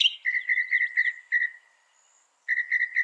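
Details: Northern mockingbird song: a string of short, steady whistled notes repeated rapidly, a brief pause, then the same note series resumes, with faint higher trills behind.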